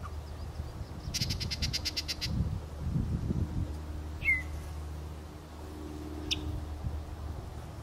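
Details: Yellow-breasted chat at Beech Hill Preserve, Rockport, Maine, 9 June 2013, gives a fast, dry rattle of about a dozen harsh notes, then a single slurred whistle and a short sharp note, over a steady low rumble.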